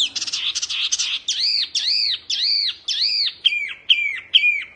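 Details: Oriental white-eye, wambi mini type, in fierce tutoring song: a buzzy chattering opening, then a regular series of arched, ringing whistled notes, about two per second.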